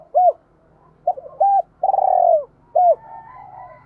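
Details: ['Decoy spotted dove cooing to draw in wild doves. Arched coo notes are spaced about a second apart around one long, rough, rolling coo, with a faint low hum underneath.']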